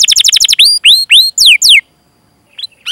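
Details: Canary song as a singing prompt for canaries: a quick rattle of short notes leads into several loud swooping whistled slurs, then a pause and faint rising chirps.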